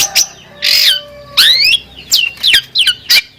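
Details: Long-tailed shrike champion singer delivering harsh grating squawks and sweeping whistled notes, each phrase separated by short pauses, with a faint steady tone in the background.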